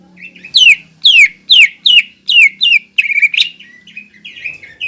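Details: Captive greater green leafbird, singing to provoke a rival: a run of six quick downslurred whistles about two per second, then a warbling, buzzy flourish fading into softer notes, with a faint low hum behind.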